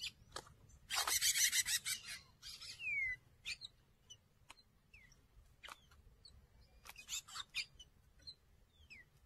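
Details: Two male double-collared seedeaters fighting at a feeder: a loud, noisy burst of scuffling and fluttering early on, then scattered sharp chips and a few quick down-slurred whistles.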